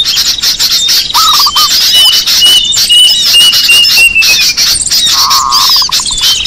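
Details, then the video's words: Small birds on a lure recording: dense high chattering, a long thin whistle gliding downward, and lower stuttering trills, the second longer, fading into quick repeated notes. "Suara pikat burung kecil paling ampuh"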